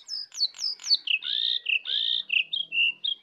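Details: Sooty-headed bulbul singing in a wild bird versus caged bird contest, full 'isian' style: four quick downslurred whistles, then a chain of clear, sustained whistled notes alternating in pitch.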